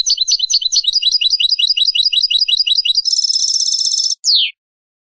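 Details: Tutoring song of a European goldfinch, recorded for young birds to learn from: a long run of some twenty-five quick repeated chirps leads into a dense, ringing trill lasting about a second, ending with a single descending note; no other sounds.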